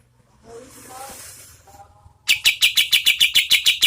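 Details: Oriental white-eye, the kapas tembak, used as tutor audio for competition birds; soft murmuring background sounds give way to a fast, regular string of loud, piercing chip notes.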